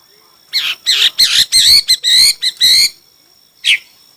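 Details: Chinese hwamei competing in song: a run of loud, rich, bouncing warbled notes, about eight in quick succession, then a pause and one final sharp downslurred note.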